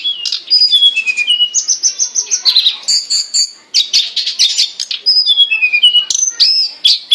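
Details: Hill blue flycatcher singing in full form, recorded for training captive songbirds: clear whistled notes stepping downward, sustained high whistles and buzzy trilled bursts, delivered in a fast unbroken stream.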